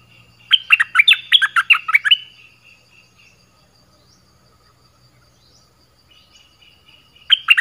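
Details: Decoy recording of an Orange-headed thrush singing to attract wild birds: a burst of rapid, loud warbled whistles and chirps, then a pause with faint notes, and the varied phrases starting again at the end.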